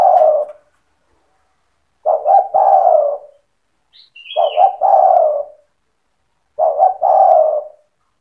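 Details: Persistent cetretan-style song of a spotted dove, played to stir other doves to answer: three mellow coo phrases about two seconds apart, each two short stuttered notes and a drawn-out falling coo, plus one faint higher chirp.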